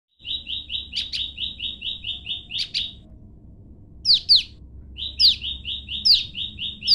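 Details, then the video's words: Captive Olive-backed tailorbird female, kept apart from her mate, calling him as he answers in a duet: a fast, even run of bright notes, about eight a second, cut by sharp, high downslurred chips, over faint low rumble. "prenjak lumut betina saling sahut dengan jantan"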